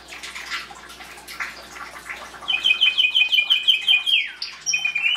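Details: Singing Belgian canary, breeding season 2016, song meant to encourage chicks: soft scratchy twittering gives way to a loud rapid trill of repeated double notes, a falling slur, and a bright high whistle.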